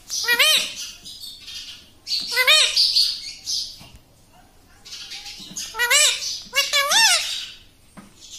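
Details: Talking pet parrot repeating "mummy" four times, as bright tonal bursts separated by breathy, hissy pauses, the last two coming close together near the end.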